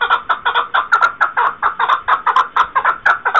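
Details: Continuous, rapid chukar partridge clucking, 2021: harsh, slightly doubled chuck notes repeated around four per second without a break, loud and close.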